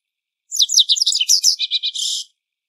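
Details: Japanese wagtail at a riverside, one of its various calls: a rapid, high, chattering series of twittering notes for nearly two seconds, ending in a short buzzy run of repeated chips, with no background sound.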